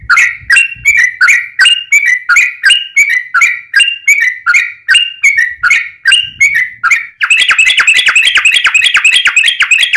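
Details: Yellow-vented bulbul singing energetically as a lure to get other bulbuls to sing: about seven seconds of bubbly, slurred two-tone chirps roughly three per second, then a fast, dense rolling trill to the end.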